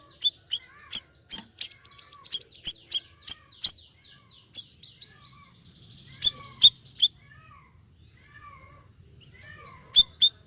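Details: Actively singing siri-siri bird giving sharp high chirps in irregular bursts, mixed with short twittering trills and a few thin falling whistles, over faint low background hum.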